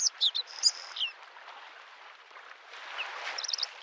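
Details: Bluethroat by a lake in spring giving a brief burst of high tinkling and buzzy notes, then quiet wave noise, with a faint high twitter returning at the end.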